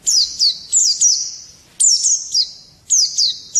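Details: Morning song of a white-eye: clear, high whistled notes that slide downward, given in tight pairs and triplets, with short gaps between groups against a quiet background.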